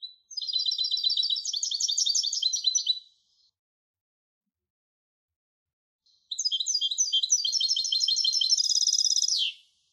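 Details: Song of a European goldfinch hybrid: two long phrases of fast, tinkling, buzzy notes, each lasting roughly three seconds, the second closing with a sharp falling note, with quiet between them.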